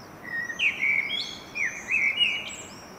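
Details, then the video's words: A Common blackbird singing, recorded in 2021: rich, fluty warbled phrases that slide and twist, two short bursts over three seconds, against a faint steady background hiss. "Canto del merlo"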